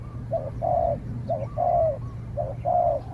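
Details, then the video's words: Spotted dove calling while fighting another dove, the wild bird answering from afar. Three rapid phrases, each a short hoot then a longer, sustained coo, close together roughly once a second, over a low hum. "เสียงนกเขาใหญ่ ต่อ นกเขาใหญ่"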